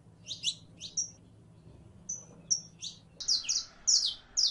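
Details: Female canary in heat calling a male to mate: high thin chirps, single and paired, scattered irregularly, then a denser burst of sharp chirps near the end; faint low hum beneath.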